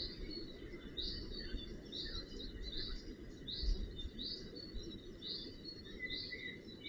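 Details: Northern goshawk fledglings being cared for at the nest on 4 June 2018: high, thin upslurred calls repeated roughly every second, with a fainter lower series of notes and a steady low rumble of background noise.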